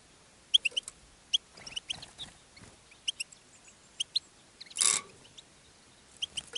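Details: Caged European goldfinch singing and attracting other goldfinches: scattered high, thin chirps and tinkling notes come singly and in pairs, with one brief rushing burst of noise midway. The background is quiet.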